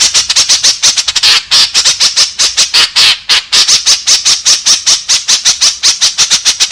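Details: Continuous lure calling of a white-breasted woodswallow, meant to draw its companions: many short, rasping notes in rapid, slightly irregular succession, with no pauses or background sounds.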